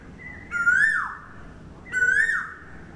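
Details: Cuckoo calling: two loud whistled notes about a second and a half apart, each rising slightly, then sliding sharply down at the end, over a quiet background.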